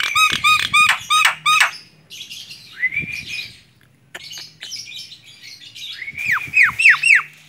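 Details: A tame Javan myna on the hand repeats loud looping whistled notes, shifts into buzzy rising whistles and clicks, then closes with a series of sharp descending whistles.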